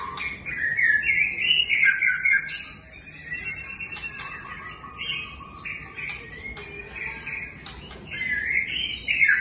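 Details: Extended White-rumped shama song mixing loud twittering runs, steady whistles and crisp clicks in a varied, energetic sequence.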